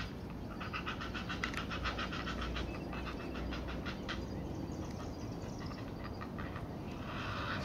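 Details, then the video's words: Heron chicks at a feeding with their mother, beaks biting: quick, rattling clicks stream for about five seconds then thin out, set against a continuous low-pitched rumbling noise. "Feeding Heron Chicks"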